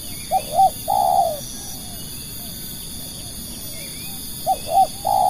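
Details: Spotted dove kept to attract other doves, uttering two short notes and a sustained coo, then a quiet gap before the same phrase begins again, with faint distant bird calls and steady insect hiss behind.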